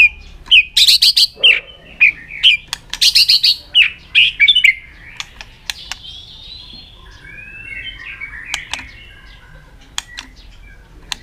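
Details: Long drawn-out song of a White-rumped shama performing an aggressive tail-flicking display to rouse other birds: a dense run of rapid whistles and chatters for about five seconds, then softer scattered notes and clicks.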